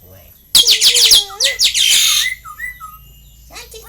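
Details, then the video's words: Talking pet Asian pied starling bursting into loud harsh screeches over a low hum-like tone, then a few short clear whistles and softer squeaks. "INI BURUNG BISA NGOMONG❓❓❓INI BURUNG BISA BATUK❓❓❓"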